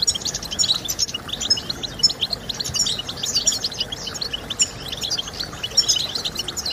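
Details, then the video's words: European goldfinch singing, used for stimulating birds to sing: rapid liquid twitters and bright high chirps in quick irregular bursts, some short sharp whistled notes standing out, over low background hiss. "Goldfinch Sounds"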